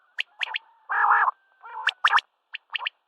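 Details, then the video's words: Common quail calling at sunrise: sharp high clicks around a long, harsh buzzy note, then more crisp double and triple notes. "CALL COMMON QUAIL (Coturnix coturnix) Common Quail. Birds singing at sunrise | Batair Ki Awaz"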